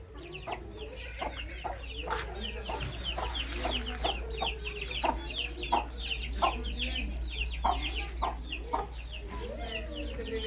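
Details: Baby chicks peeping busily, a dense run of short high downward-slurred chirps at about one to two per second, mixed with lower clucking notes and a constant low hum.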